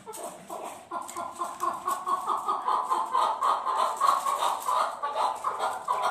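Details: Fighting chukar partridge building from sparse chucks into a fast, rhythmic chatter of repeated notes, over two per second, loudest in the middle and then easing, all at a steady middle pitch.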